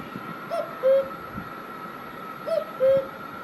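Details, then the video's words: Cuckoo in Himachal Pradesh, India, gives two soft, falling hoots, a higher note then a lower one, repeated about every two seconds over a steady background hum. "Cuckoo Bird Sound"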